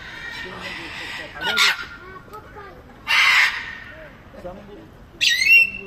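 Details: A captive grey parrot at Baku Zoo gives three harsh, raspy squawks roughly every two seconds, the last ending in a brief whistled note, over a low murmur of distant voices.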